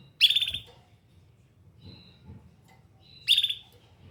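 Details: Canary making two quick high chirps about three seconds apart, with a faint thin whistle between them.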